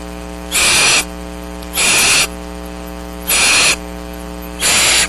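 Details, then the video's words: Downy barn owl nestlings at Starr Ranch, patiently waiting to be fed during rain on March 6th, 2010, give four loud rasping hisses, each about half a second, spaced around 1.3 seconds apart, with constant low mains hum underneath. "BARN OWLS - PATIENTLY WAITING FOR FOOD"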